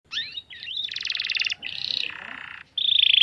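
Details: Young canary singing a lure song meant to make other canaries answer quickly: varied phrases of rising and falling whistles, a rapid buzzy pulsed trill, a lower rattling roll, then a high sustained trill, with faint low background noise.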